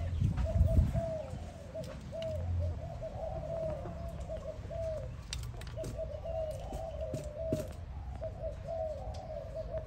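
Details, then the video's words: Spotted dove calling to another dove with quick, low, hooked coo notes strung closely together, over steady low-pitched background noise and a brief thump near the start. "Sound animal spotted dove calling another dove"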